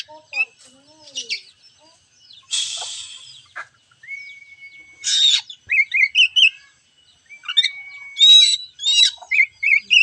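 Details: Kacer (oriental magpie-robin) song played to stir a lazy bird into singing: scattered chirps, harsh noisy bursts, long even whistles and repeated short paired whistled notes, with brief silences between phrases.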